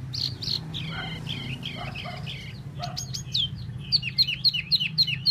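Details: Tieu mi bird singing solo gives a string of rounded, looping whistled notes, then a quick burst of crisp clicks and a rhythmic series of sharp chirps about two per second, over low hum.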